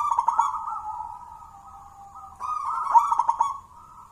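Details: Local wild-born zebra dove from Mojopahit, Java, a contest champion raised from a young bird, singing in gacoran style: mellow tonal cooing phrases with rolling bubbly notes, a pause, then a second phrase stepping slightly up in pitch.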